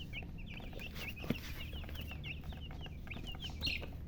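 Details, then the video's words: Baby chicks peeping softly, with faint short downslurred cheeps scattered across the clip above a rumbling low-pitched background noise and one brief thump. "silly chicken chirping sounds"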